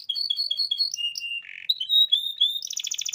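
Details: Canary singing to prompt other canaries. Paired chirps alternate in quick succession, followed by a level whistle, a harsh buzzy rasp and clear sliding whistles. It ends in a rapid bright trill.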